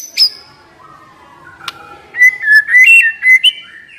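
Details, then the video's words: Young wild-caught white-rumped shama, said to be stressed, used as a singing lure: a thin high whistle, a long near-silent gap, then a handful of clear level and stepped whistles in the second half. "Pancingan MURAI BATU Muda Hutan, Stres, Macet Nyaut Cuma Hitungan Detik"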